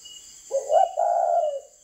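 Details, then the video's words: Spotted dove breeding parent bird with a fine northern Vietnamese voice, giving one low, smooth coo in two joined parts: a short rising note, then a longer steady hooting tone, over a faint high insect hum. "GIỌNG BỐ MẸ của chim cu gáy hay miền bắc"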